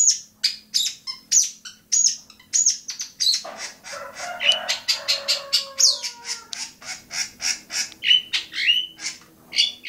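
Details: Long-tailed shrike singing at Bobotsari. Rapid chattering phrases of varied sharp notes are broken midway by a brief stretch of lower, tonal sounds, then quick chatter returns.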